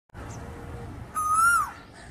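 An Asian koel gives a single clear, whistled note, rising slightly and then falling away, over a steady low background hum.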